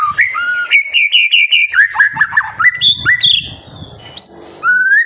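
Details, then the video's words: White-rumped shama song used as a tutor to provoke young birds into singing: clear whistled notes repeated in a rhythmic series, then rising and falling slurred phrases and a few higher sweeping whistles. "MASTERAN MURAI BATU GACOR SANGAT COCOK UNTUK MEMANCING EMOSI MURAI BATU MUDA ATAU TROTOLAN"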